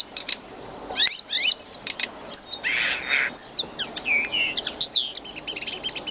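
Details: Songbird used as a training recording for teaching songbirds, with rapid, varied high whistles, upward and downward sweeps and short chirps in quick succession, plus a brief buzzy burst near the middle.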